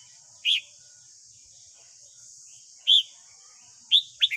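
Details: Red-whiskered bulbul of the white-cheeked type, morning song used to train a young wild-caught captive bird; three short bright chirped notes spaced about a second or more apart over a steady high hiss.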